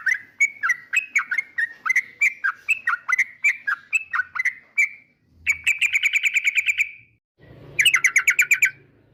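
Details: Singing yellow-vented bulbul (trucukan): a long series of quick liquid whistled notes, then a rapid buzzy trill of evenly spaced notes, a short gap, and another fast chattering burst.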